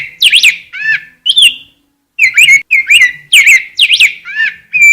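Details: Rose-breasted grosbeak singing: a run of sweet, warbled whistled phrases, each rising and falling, delivered in short bursts about a second apart with one brief pause midway; no other sounds intrude.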